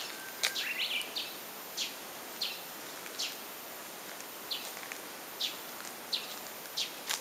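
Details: Japanese bush warbler calling outdoors: a brief flat whistle then quick rising notes early on, followed by short dry chip notes repeated irregularly about every half second to second, over a steady background hiss.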